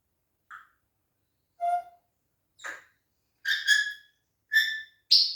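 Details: Pet African grey parrot vocalizing in a talking session: a short soft note and a clear whistle, then a run of loud, harsh, harmonic squawk-like phrases that grow denser and end on a bright, high shriek.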